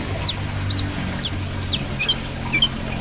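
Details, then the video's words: Brown-throated sunbird singing energetically: bright, high, down-slurred whistles about twice a second, then softer, faster twittering notes, with a steady low droning hum underneath. "KOLIBRI KELAPA GACOR"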